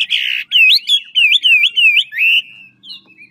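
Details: Ngũ trường Chinese hwamei from Lạng Sơn giving fighting song: a loud buzzy note, then a run of five looping, wavering whistles, fading into soft high notes.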